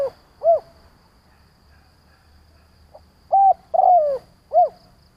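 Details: Spotted dove decoy cooing to provoke and lure wild doves. A rounded coo is followed by a pause, then a full phrase of level coo, long downward-sliding croon and arched final note, soft and clear.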